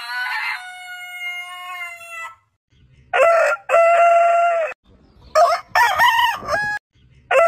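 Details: Heritage-breed roosters crowing: a long crow held level then fading, followed by a loud stuttering crow with a steady middle tone, and a choppy crow of short rising and falling syllables.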